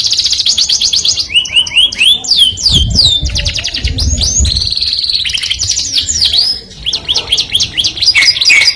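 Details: Canary singing a melodious song said to attract the opposite sex: rapid high trills, rising whistled slurs and buzzy rolls shifting every second or so, with some low rumbling noise in the background.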